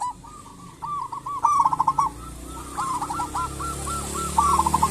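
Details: Zebra dove of a local type, used as a lure for other zebra doves, repeats stuttered cooing phrases against a noisy, humming background that partly masks the notes.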